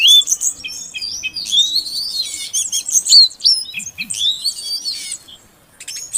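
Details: A female Oriental magpie-robin calls to stimulate a male that has stopped singing. Dense, high twittering and upslurred whistles pour out for about five seconds, then fade to near quiet before a brief return.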